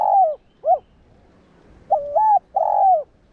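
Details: Spotted dove cooing, played to stir other doves into calling: a clipped low phrase end, then a full phrase of a short double coo, a long drawn purring coo and a brief final note, over quiet background.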